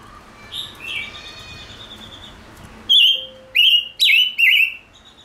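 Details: Gouldian finch male, worked up into song, begins with soft wavering whistles, pauses, then delivers four loud, sharp whistled phrases with quick downward slurs in close succession; a faint low steady tone sits beneath.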